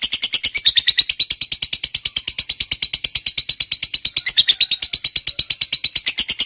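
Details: Long ngekek trill from a lovebird, meant to stir up other lovebirds and get silent ones answering: fast, even, buzzy rattle of high notes pulsing about eight times a second throughout.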